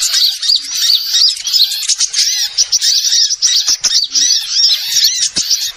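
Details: Lure recording of small birds used to attract wild birds: a dense, continuous chorus of high, sharp chirps and thin whistled notes, many overlapping callers twittering rapidly with brief gaps.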